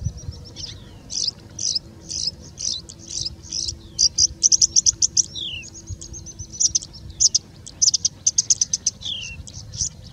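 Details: A singing bush lark in India sings continuously for over three minutes: high, thin chirps about twice a second, mixed with quick falling whistles mimicking birds such as Indian robin, pied bushchat, plain prinia and common woodshrike, over a faint low hum.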